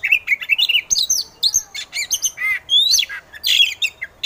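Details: An Oriental magpie-robin, used as a lure to provoke other birds into competitive singing, pours out a rapid, varied song of bright whistles, rising slurs and harsh chattering notes with barely a pause.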